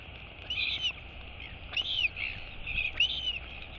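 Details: Royal albatross chick calling to its mother with three quick high arching whistles, each swooping up then down, over faint low noise.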